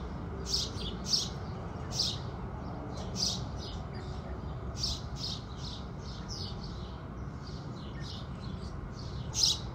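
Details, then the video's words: House sparrows at sunrise chirping in an uneven stream of high, clipped notes, mostly soft with a few louder ones, over noticeable low background rumble. "Sparrows Sound Effect | Sparrow Sounds | Beautiful Birds Singing | Sparrow Calls"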